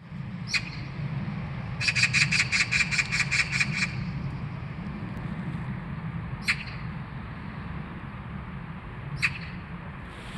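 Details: Magpie giving a harsh, dry rattling chatter of about ten rapid notes over two seconds, preceded and followed by single scratchy calls spaced several seconds apart, over a steady low rumble.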